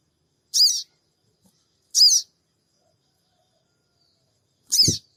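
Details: Sooty-headed bulbul giving cingik cingik calls used as a lure to make the bird respond, recorded on an Android phone in Purbalingga: three sharp, high, harsh chirps at irregular gaps, the last with a low thump.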